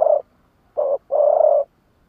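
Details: Decoy spotted dove giving its challenge call in lụp đờn cò style: a brief coo ending, then a short coo and a long, steady, husky coo, with nothing else audible.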